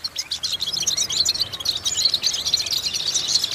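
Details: European goldfinch singing for vocal exercise to stimulate goldfinches. Quick liquid twitters and sharp chirps tumble together in a steady, continuous high-pitched stream with some brief trills.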